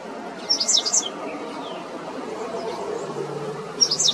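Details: Black-faced Grassquit (Tiaris bicolor) singing in Arashi desert, Aruba, October 2022: two short, high, buzzy sputtering songs about three seconds apart, thin and insect-like, over a faint low hum.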